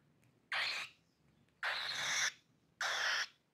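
A cockatiel chick gives three harsh, raspy, hissing calls, each about half a second long.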